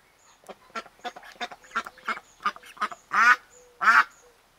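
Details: Newly arrived domestic ducks, one a loud female, settling in an enclosed garden run. A string of soft, clipped quacks at an uneven pace, then two much louder, harsh, drawn-out quacks near the end.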